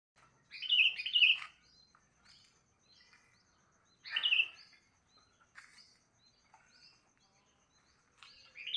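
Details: Sooty-headed bulbul singing in the morning: short, rich, bubbly descending phrases, one double phrase near the start, another about three seconds later and a third at the end, with faint chirps between.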